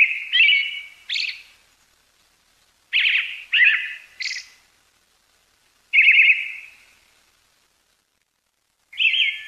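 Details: Brown-headed thrush wintering in Pingtung County, Taiwan, 20 December 2022. Harsh, buzzy calls, each under a second long, come alone or in clusters of two or three, separated by gaps of a second or more.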